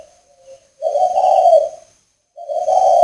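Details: Spotted dove kept for breeding in northern Vietnam, recorded on a rainy day. A soft low note is followed by two long, buzzy, mid-pitched coos. Thin high tones hum faintly in the background.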